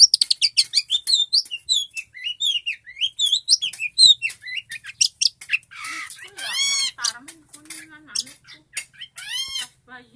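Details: Long-tailed shrike singing actively, recorded as a tutor for caged songbirds. It starts with rapid high chattering and slurred whistles, then turns to harsh, grating, nasal squawks in the second half.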